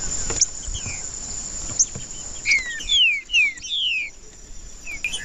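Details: Green-winged saltator singing in the wild bush: a few loud, clear whistled notes slurring downward in quick succession, each under half a second, over a steady high insect drone and faint chirps.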